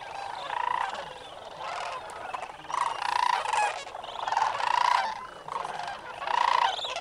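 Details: Sandhill cranes at the North Crane Pool roost, Bosque del Apache National Wildlife Refuge, early morning on 27 November 2009; repeated rolling, trumpeting bugles from several birds overlap in bursts about every one to two seconds.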